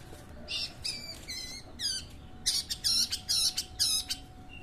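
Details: Long-tailed shrike, a hobbyist's kept bird, giving harsh, grating squawky notes with buzzy overtones, first spaced, then loud and rapidly repeated in a rhythmic series of about two per second, against a low steady background hum.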